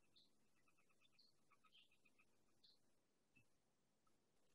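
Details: Sora (Porzana carolina), an elusive marsh bird heard more than seen, sings a faint run of high, squeaky notes tumbling loosely downward over about three seconds, with low background hiss throughout.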